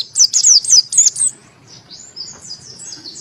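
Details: White-eye, Monty type, singing with open beak. Its crystal voice suits tutoring and stirring lazy birds. Five or six loud, piercing chirps in quick succession fade into faint high twitters.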